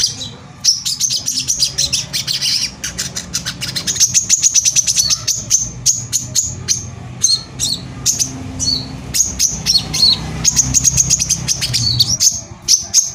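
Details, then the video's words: Vigorous brown-throated sunbird song intended to rouse other sunbirds: long stretches of rapid, needle-thin trilled clicks alternate with squeaky whistled phrases, broken by a few short pauses, over a steady low hum. "suara pancingan korlap gacor tembakan rapat || ampuh memancing korlap agar emosi dan bunyi"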